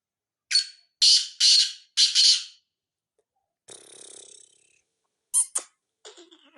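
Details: Black francolin calling in Sindh, Pakistan, at 8:45 at night in February 2022; a quick run of four harsh, rasping broadband notes, a pause, then a fainter buzzy burst and a few short sharp clicks.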